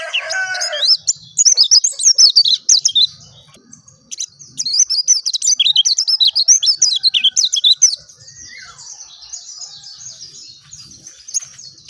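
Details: Oriental white-eye of the type called dakun singing a fast, high, twittering warble of rapid rising and falling notes, in bursts with a pause near the middle. Lower, harmonic call notes open the recording.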